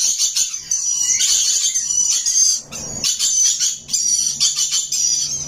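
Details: Rainbow lorikeet parrot chirping: dense, harsh high-pitched chatter running almost without pause, in loud waves with brief dips.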